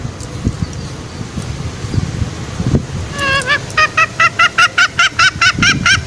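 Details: Wild green junglefowl call used as a lure to bring males out for snaring. Low rumbling background at first, then an upward-curving note followed by a quick, steady series of short honking notes.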